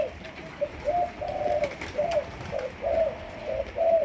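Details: Caged young Malaysian spotted dove training as a decoy. Soft, low coos come in uneven short bursts over a steady background hiss.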